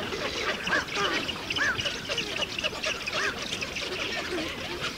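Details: Eurasian spoonbill colony, Ag-Gol National Park, Azerbaijan, 2013–2014, adult at the nest with chicks: several bright, arched calls in quick succession, each with clear overtones, set against dense, continuous chattering from neighbouring nests.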